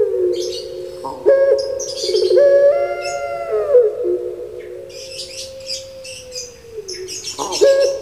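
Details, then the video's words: Puter pelung turtle dove, a caged bird kept in Java, Indonesia: a long, resonant coo that wavers and slowly falls over several seconds, with brief rising notes and sharp high chirps from other birds around it. "Puter Pulung Suara Gemanya Bikin Lupa Diri"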